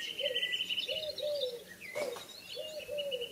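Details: Evening bird chorus: a steady high whistled note runs throughout while a lower, dove-like cooing phrase repeats roughly every second, with scattered chirps above and a soft background hum.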